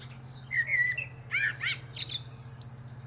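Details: Common blackbird (Turdus merula) singing on top of a pear tree, a brief sequence of low fluted whistles sliding into quick repeated chirps and thin squeaky high notes, with a low background hum.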